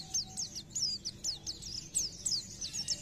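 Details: Oriental white-eye 'gacor' song, quieter and more distant: a string of high, thin, slurred chirps spaced roughly a quarter-second apart against a noticeable background hiss and low rumble.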